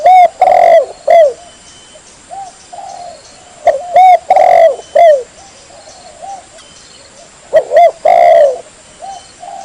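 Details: Lure call of a female spotted dove attracting males for mating: three loud cooing phrases roughly every three to four seconds, each short coos, a long drawn coo and a falling note, with soft coos in between.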